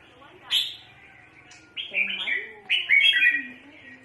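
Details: Decoy red-whiskered bulbul used in bird trapping, calling eagerly: a sharp single note, then two lively bursts of warbling, slurred whistles and chatter, with a low background hum.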